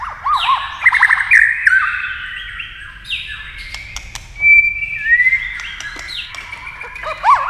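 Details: White-rumped shama challenged by a television, singing with fast beak movement; a long medley of slurred whistles, buzzy rising strokes and a clear high note in the middle, with repeated arched notes at both ends.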